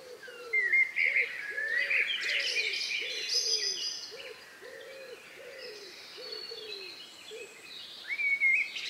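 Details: Among the last birds singing before night in the countryside, May 2, 2020 around 9 p.m.: a steady series of low, soft arched hoots about twice a second beneath high, bright chattering song phrases.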